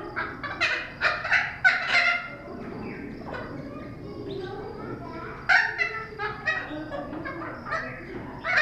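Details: Thick-billed parrot at Cincinnati Zoo, 10 February 2017, giving harsh, grating squawks in quick bursts, a run at the start and more after a pause, over a low murmur of background noise.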